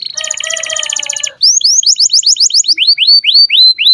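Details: Canary song for training young canaries: a harsh rattling roll, then a clear series of rising-falling whistled notes about three per second.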